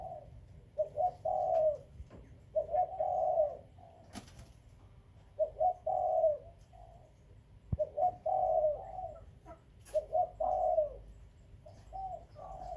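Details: Breeding spotted doves, kept captive and called Khmer and Malay doves, repeating low hollow coo phrases, each a pair of short notes and a longer trailing coo, about five phrases with occasional sharp taps.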